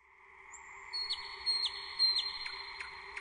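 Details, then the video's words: Nightingale singing: a long high whistled note, then a series of short, repeated whistles, each ending in a quick downward sweep, with a steady low hum underneath. "Пение Соловья."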